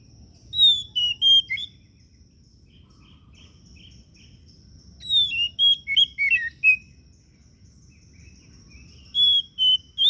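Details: Kacer daput oriental magpie-robin singing two loud bursts of clear whistles with twisting slurred notes and a few soft chips between them, the phrases separated by pauses of several seconds.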